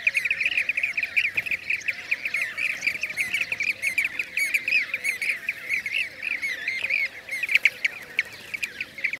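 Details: Blue-cheeked bee-eaters, Şanlıurfa, Turkey, 2016: many rolling trilled calls overlapping in a steady chatter, some louder bursts near the end, plus faint high squeaky notes and a low warbling undertone.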